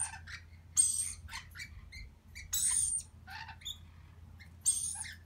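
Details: A baby lorikeet being fed gives harsh, rasping, high-pitched begging screeches in bursts every second or two, over a low steady hum.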